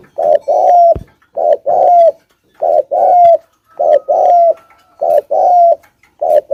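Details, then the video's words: Spotted dove used as a lure, producing thúc gù cooing: repeated low, hollow coo pairs, each short note leading into a longer slurred one, with a couple of faint clicks. "Suab nquab quaj zoov heev dib tuaj 100% . tiếng chim cu gáy thúc gù"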